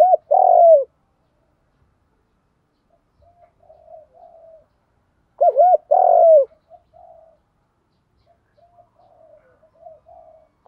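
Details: Spotted dove song, giọng đồng pha thúc gù style, used to make kept doves coo quickly and come to the perch: two loud phrases of a short hooked note and a long throaty coo, six seconds apart, with soft murmured notes between.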